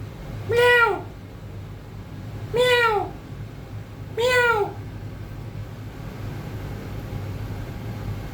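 A grey parrot gives three drawn-out, cat-like meows that rise then fall, each about half a second long and two seconds apart, over a low steady hum.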